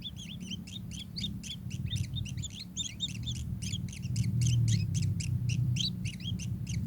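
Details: Kingfisher giving rapid, repeated high chattering notes, several per second, each a quick up-and-down inflected chip, carried over a constant low droning background noise.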